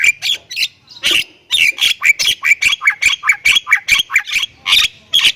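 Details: Rapid gacor chatter from a Thailand-type Javan myna: a fast, fairly even series of scratchy squawks and short whistled chips, more than two per second, building into a dense run.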